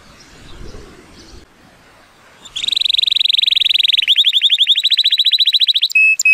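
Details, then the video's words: Male Timbrado Español canary, born 2018 and rated 83 points, in powerful song on a sunny day: after quiet background noise, a loud rapid metallic trill starts, shifts to a lower pulsed roll, ending in a short whistled note. "The most PLEASANT Canary training song"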